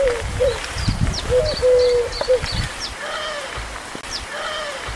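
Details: Eurasian collared dove singing at Locmaria, three-syllable song of soft, low hollow coos in short repeated phrases, with high chirps of small birds and low rumbling background noise.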